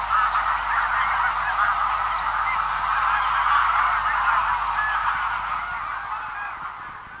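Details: Far-off large feeding flock of Greylag Geese producing a rapid, irregular stream of honks, about three to four a second, that fades away over the final second.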